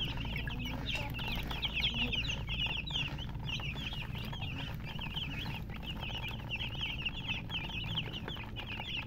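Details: Baby chicks call in a lively chorus, with bright, piercing peeps coming in quick overlapping bursts and a low droning hum behind them.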